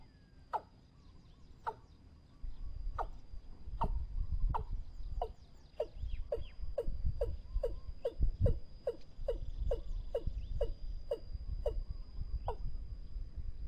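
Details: A Watercock gives a series of hollow, knocking notes that speed up from about one a second to twice a second, then slow again, over a steady electronic whine; a recording used to lure watercocks.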